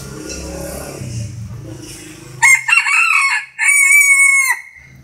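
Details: Bantam rooster giving a loud, strained crow in two bursts, the second a long, level, held note, after a stretch of low murmuring background noise.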